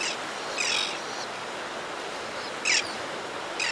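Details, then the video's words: Adult white-fronted tern arriving at its nesting ledge to feed the young: a few widely spaced harsh, raspy bursts with a high squeaky edge, separated by brief gaps of outdoor hiss. "White-Fronted Tern. CU Calls From Adult As It Comes To Nesting Ledge To Feed F"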